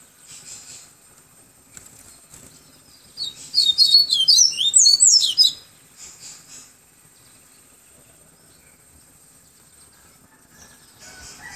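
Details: Yellow-bellied seedeater song recorded in Salvador, Bahia: a single burst of rapid, high twittering notes lasting about two seconds, with faint chirps before and after and a steady high hiss in the background.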